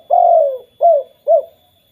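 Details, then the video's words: Lure call of a spotted dove meant to trigger other doves: one drawn-out, gently descending coo followed by two short, rounded coos. "BURUNG TEKUKUR KUK 2 BIKIN TEKUKUR LAINNYA BUNYI"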